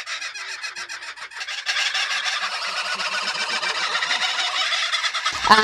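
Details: A female kookaburra is introduced to a territorial male for breeding. Kookaburras give a loud, rolling cackle that starts quieter and choppy, then swells into a dense, rapid chorus of harsh repeated notes.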